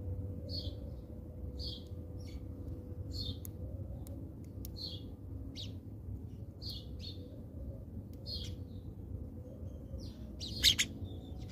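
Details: Feeding house sparrows in South Africa make a steady run of clipped chirps, about one every second, each a brief downward note, ending with a louder sharp call, over a constant low hum.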